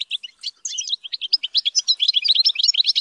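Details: Hand-reared European goldfinch in song training: quick repeated chirps, about three per second, accelerating into a dense twittering run.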